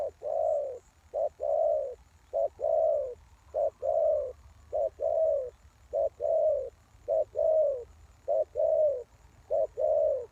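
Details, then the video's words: Spotted dove lure bird for catching wild doves, calling steadily with low hollow two-part coos, short note then longer rounded coo, about ten phrases in ten seconds at an even pace. "Suara Tekukur Pikat"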